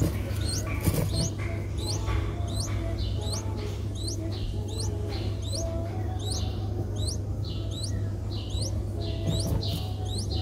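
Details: Streak-eared Bulbul (Pycnonotus blanfordi) nestlings, five days old, in Ubon Ratchathani, Thailand, 7 April 2023, give thin, high upslurred squeaks about once a second, over a steady low hum.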